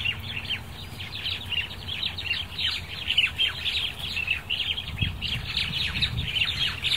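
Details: A dense flock of crested mynas at dusk keeps up a harsh, chattering din of overlapping squeaks and chirps, with a low rumble of distant traffic underneath.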